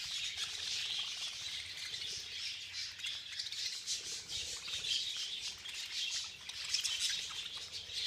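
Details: Many budgies calling together while feeding in a frenzy: an unbroken wash of high, scratchy chirps and twittering that swells and fades in waves, with no other clear sounds.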